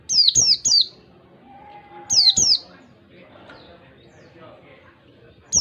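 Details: Oriental white-eye from the wild, played to lure caged white-eyes: a triple of high, falling whistles, then a paired burst, with a soft, steady, lower whistled tone between them and quiet background murmur.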